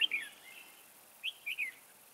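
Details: Trap decoy red-whiskered bulbul singing to lure birds; a few clear, slurred whistled notes, a pause, then two or three more bright notes.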